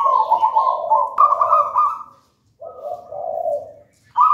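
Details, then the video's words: Persistent zebra dove from a raja banana plant nest, local wild stock, cooing manggung as a tutor bird: layered, trembling coos at two pitch levels, a break, a lower coo, then a fresh start. "Perkutut manggung gacor"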